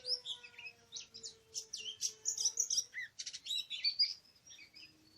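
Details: A wild Oriental magpie-robin (Copsychus saularis) in forest, recorded 24 March 2017, sings a rich, varied run of sweet whistles, slurred notes and quick chirps without pause, with a faint steady hum underneath at first.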